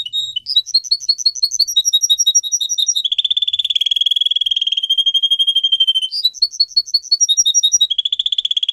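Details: Canary kept as a pet sings alternating sections: sweet paired whistled notes, a long fast rolling trill, then the whistled pairs again and another trill, all loud and clear.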